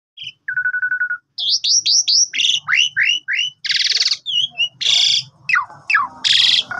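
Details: Asian pied starling, a sulking bird, recorded in the morning: varied song of whistled slurs, rising and falling notes, harsh buzzy bursts and rapid chattering phrases, with faint low background noise.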